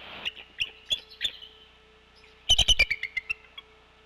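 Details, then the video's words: Bald Eagle pair at a Decorah nest on 16 February 2024 during a brood shift change, one bird off camera. Scattered thin, high notes give way to a fast, loud run of squeaky chattering notes that fall in pitch and trail off. "Eagle chattering can be heard off and on off camera until 5:41 when Dad return to the nest."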